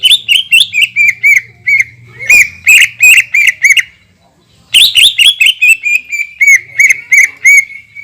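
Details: Greater green leafbird in long 'shooting' song, said to provoke other leafbirds into reacting: a rapid string of loud rich whistled notes repeated several times a second, pausing briefly, then resuming in a similar run.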